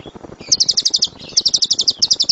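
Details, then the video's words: Lovebird singing the loud 'gemuruh tembakan' (thundering rapid-fire) style, a master recording for training other birds: two quick bursts of high, sharp chirps, each note hammered out about ten per second with a brief pause between. "LOVEBIRD SUARA GEMURUH TEMBAKAN BURUNG LOVEBIRD"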